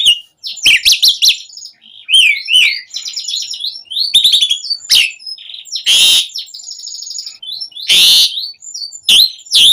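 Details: Asian pied starling song used as a lure for captive birds: a varied, dense medley of rapid chattering bursts, slurred rising whistles, sharp clicks and harsh broadband rasps, delivered continuously with short gaps.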